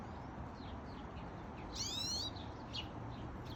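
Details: Pine Siskin at a backyard bird feeder in Calgary, Alberta, 9:50am on August 9, 2021, gives a single buzzy, rising call of about half a second, then a few faint high chirps over a low background rumble.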